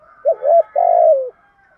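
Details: Spotted dove kept as a decoy, calling to provoke wild birds: a quick rising-falling double coo followed by a longer, slightly buzzy coo that slides downward. There is a faint hum behind it.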